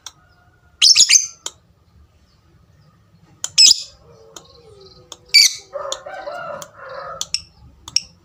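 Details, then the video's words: Lovebird giving a few loud, harsh high squawks separated by pauses, with short ticks and a softer lower warbling sound near the end. "suara lovebird tik tik tik lanjut ngekek ngekek panjang"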